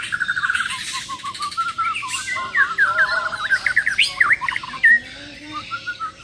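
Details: Bornean white-rumped shamas of the Muara Wahau line, champions set against each other: quick stuttered notes give way to a jagged cascade of zigzag whistles and chatter, with a low note near the close.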